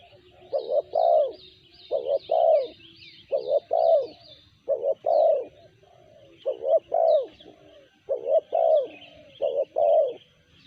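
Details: Spotted dove calling in the sanji style, seven steady coo phrases in a row, each two short hoots then a longer mellow coo, with thin high chirps from other birds over the top.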